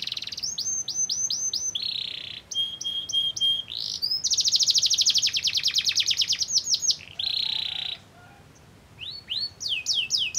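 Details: Lure song from a canary, aimed at provoking other canaries to sing. It runs through repeated swooping chirps, a flat whistled note, a long loud rattling trill and a buzzy roll, then a pause and fresh bursts of rising chirps.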